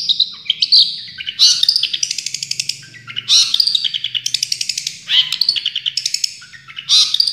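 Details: A champion Long-tailed Shrike gives full tembakan song: alternating harsh, scratchy bursts and rapid trains of repeated chips, each phrase about a second long, tumbling quickly from one to the next.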